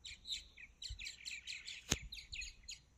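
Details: Martins flying around in the morning: a quick chatter of high, gurgling twittered notes in rapid succession, with one sharp click midway and low background rumble.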